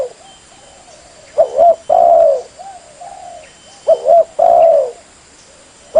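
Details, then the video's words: Spotted dove lure call: two loud phrases, each a quick double coo followed by a long drawn-out falling coo, with softer distant cooing in the gaps. "Suara Raja Pikat Pemanggil Burung Tekukur / Darkuku"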